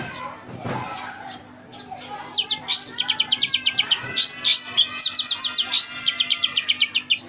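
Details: Oriental magpie-robin with an elaborate, mimicry-rich song for tutoring other birds: after a quiet start, quick descending whistled slurs mixed with fast repeated chip notes, around four per second.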